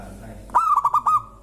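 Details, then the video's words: A single brief zebra dove phrase from a local bird said to make other birds sing, five quick cooed notes on one mid pitch, slightly drawn out at the end. "Suara indah perkutut lokal bikin burung lain ikutan bunyi gacor"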